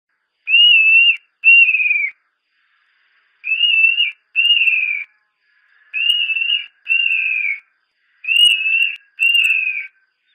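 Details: Montane nightjar (Caprimulgus poliocephalus), locally ملهى الرعيان, gives clear whistled double notes, each pair of short level-then-dropping whistles repeated four times, with a gap of one to two seconds between pairs.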